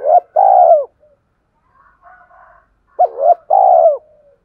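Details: Spotted dove, 'cu gáy thúc' urging coo used to make a decoy bird coo: two loud phrases, each a hooked note and a long mellow coo, with faint low murmurs between them.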